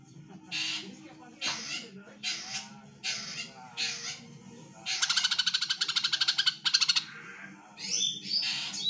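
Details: Calls of a female greater green leafbird, played to prompt males to sing: a series of rasping squawks about every second, then a fast rattling run of pulses, ending in further harsh notes over background hum.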